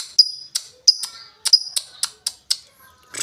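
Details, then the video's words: Lovebird uttering rapid, sharp ticking chirps, roughly four per second, some with a thin whistled tail, ending in a burst of noisy rustle. "LOVEBIRD NGETIK NGOEK LANJUT NGEKEK"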